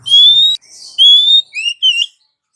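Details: Calling female Oriental magpie-robin, used as a lure for males: two long, clear, upslurred whistles, then two shorter bent whistled notes, all high and pure.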